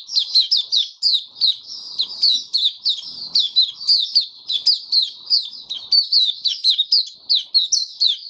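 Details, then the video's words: Caged white-eye giving its opening song, 23 March 2022, warm humid weather: an unbroken series of shrill, high chirps and downward-slurred twitters, delivered rapidly and evenly, with slight rustling sounds. "Mata Puteh Kitaro Video 1 buka sing"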